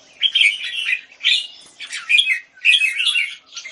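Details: Red-whiskered bulbul (jambul) in a cage in Singapore, left bird displaying, dated 09-04-2019, gives three or four rich warbled phrases of slurred, bubbling notes separated by short pauses, loud and clear.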